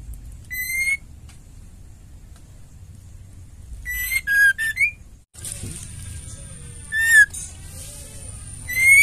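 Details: Female white-rumped shama kept in a cage, its song meant to provoke males into singing: scattered brief whistled phrases with slurred and rising notes, broken by quiet stretches and a steady high hiss.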